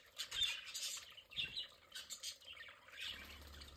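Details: Pet budgerigars playing in their play area: scratchy chirps and soft squeaks in uneven bursts, followed by a low steady hum in the last second.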